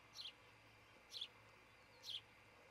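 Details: Osprey calling from a nest near Charlo, Montana, captured by a nest cam early morning, 26 June 2018: three piercing, high, clipped cheeps spaced roughly one second apart, with faint electrical hum beneath.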